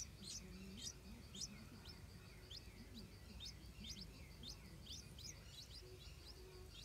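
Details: Stripe-throated bulbuls defending their nest with hungry hatchlings; short high chirps come in loose bursts, some doubled, over a faint low rumbling background.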